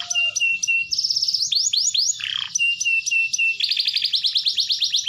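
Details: Canary song meant to coax other canaries into singing: steady repeated clipped notes, a bright fast trill, a brief lower rasping phrase, then a rising series of ringing rapid notes.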